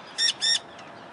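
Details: Forster's tern filmed on 9 June 2013: two harsh, buzzy, high-pitched calls in quick succession, each about a sixth of a second long, followed by a faint trailing note.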